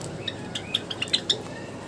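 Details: Aviary Java sparrows bathing, with a short burst of bright, clipped, high chips, about six in under two seconds, over a soft hiss.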